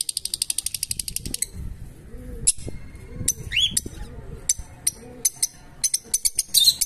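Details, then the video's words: Fischer's lovebirds chirping: a fast run of sharp, high chirps at the start, then scattered short chirps and a rising squeak over low background rumble. "Beautiful Lovebirds (Fischer) Chirping"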